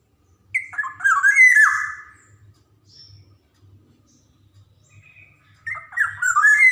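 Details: Javan black-naped oriole song, used to train young birds: a loud burst of slurred, fluty whistles, soft high notes, then a second phrase beginning near the end.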